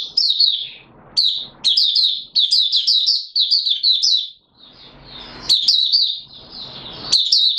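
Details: White-eye called Mata Puteh Raja, caged, singing its opening song while not at full condition: long runs of rapid high twitters, a short quiet break, then renewed sharp warbling bursts.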